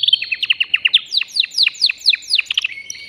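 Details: Male canary, caged and excited, singing to stimulate a female for mating: a steady stream of quick downward-swept notes at a rapid even pace, ending in a short level whistle.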